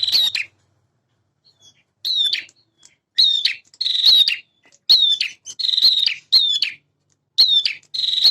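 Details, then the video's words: Energetic singing from a male bar-winged prinia meant to provoke other birds: repeated high phrases about once a second, each a quick down-slurred note followed by a dry, buzzy rattle, in a steady run against a quiet background. "PRENJAK JANTAN GACOR burung bahan cepat respon dengan suara ini."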